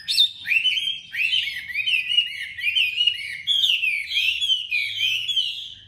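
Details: Tame Chinese hwamei, newly arrived, from Hanoi, Vietnam, described as having a sharp, strong voice. It gives a continuous, loud, varied song of rich whistled phrases, with slurred rising and falling notes and quick trills that flow without pause.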